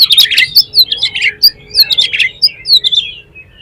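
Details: Oriental magpie-robin pouring out a loud 'ngeplong' lure song to spur other magpie-robins to sing. Dense, fast sequences of high sharp whistles and downslurred chips in repeated clusters.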